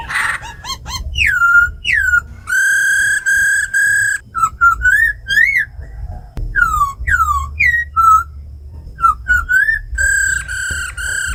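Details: Tamed caged laughingthrush giving forest-style song beside a female's rattles, used to excite other birds: varied loud whistles, downslurred and upswept notes, long steady rich tones, and short rapid clipped phrases.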